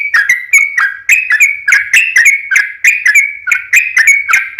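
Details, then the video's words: Sooty-headed bulbul singing a long rapid lure song in fighting style; an even, nonstop chain of bubbly, slurred whistles around three per second. "SUARA trucukan gacor RAJA PIKAT tarung ropel panjang"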